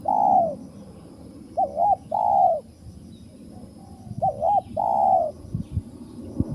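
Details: Spotted dove, described as wild, calls near a bird trap: a quick bubbling two-part note then a drawn-out hoarse coo, the phrase given twice, with low thumps and background hum.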